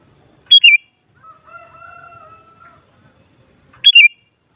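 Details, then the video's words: Sooty-headed bulbul, played to rouse other bulbuls into answering song: two bright whistled phrases, each a high note sliding down into a lower one, framing a long, even, lower-pitched drawn-out tone in the middle. "Suara Burung Kutilang Paling Ampuh Untuk Menaikan Emosip Jadikan Kutilang Gacor Nyaut"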